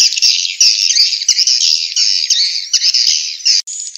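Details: Swiftlet chatter from Vietnam for drawing swiftlets to bird houses, rapid high chirps packed into a continuous buzzy twitter that cuts off abruptly near the end.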